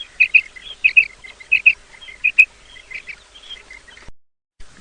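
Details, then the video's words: Female quail calling as a hunting lure in the morning: bright paired notes in a quick repeated series, fading into softer mixed chirping, then a short break. "Female Batair Calling 2020 | Female Quail Sounds | Mix Calling| Maadi Batair Ki Awaz Suba ki liye|"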